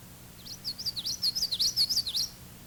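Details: Common yellowthroat singing a variant song that may differ by region: around nine linked, bouncing high phrases rolling evenly for nearly two seconds, each a quick dip and rise, with a soft low hum in the background.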